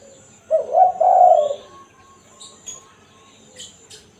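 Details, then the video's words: Genuine spotted dove coo in the 'kuk satu' style for luring wild doves: a brief phrase of three rounded low notes early on, followed by quiet background with a few high chirps. "Burung tekukur /kukur kuk 1(satu) suara asli"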